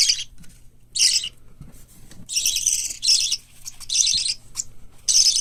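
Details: Young white lovebird, cockatiel and budgerigar chicks at a hand-tame bird shop in Fukuoka. Six harsh, buzzy rasping bursts are heard, one long and drawn out, with faint low rustles between.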